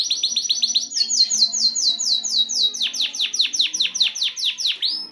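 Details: Caged male canary, excited and singing to push a female toward mating, delivers high rolling trills that shift into a series of loud, falling swept notes repeated about twice a second.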